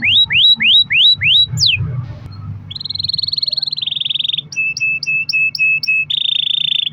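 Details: Canary song meant to make other canaries sing, a long roll: five rising whistled upslurs, one steep downward sweep, then sustained buzzy rattling trills alternating with short repeated chip notes, with a low background hum.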